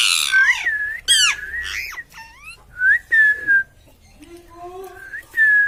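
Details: A parrot mixes mimicked word-like sounds with sharp whistles: fast rising and falling slides, several bright whistled notes, a soft low wavering phrase, then a final clear whistle.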